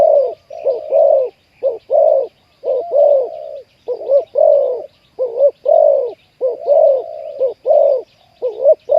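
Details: Deep-voiced spotted dove in Thailand giving 'khu-ang' coos while wild doves are lured to a trap. Steady low hooting coos repeat roughly once a second in near-continuous phrases, each note swelling and dipping, no other clear sounds.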